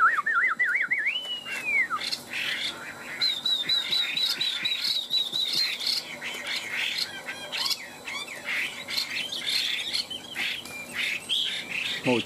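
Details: Two caged Chinese hwamei, tamed over three years, dueling in song: opening looping warble and a long arched whistle, followed by busy overlapping high chirps and repeated trills, with a short low sound at the end.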